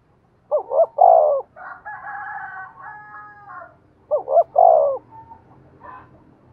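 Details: Decoy spotted dove calling to draw other doves into cooing: two low three-part phrases, each two quick wavering notes and a long coo, separated by a brighter, harsher sustained call in between.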